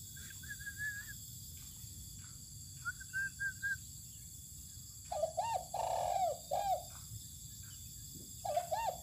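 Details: Spotted dove (tekukur) being sunned outdoors on open land. Low, throaty cooing notes come in bursts during the second half. Before them, a few thin whistled phrases from another bird are heard over a steady background hiss.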